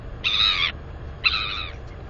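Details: Northern royal albatross chick, a 218-day-old female, squealing with delight at the nest area while exercising her wings, 9 April 2020: two loud harmonic squeals, each about half a second, a second apart, over faint low rumble.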